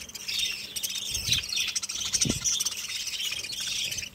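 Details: Pet budgies twitter constantly in a high, overlapping chorus of chirps and scratchy warbles, broken by two brief low thumps.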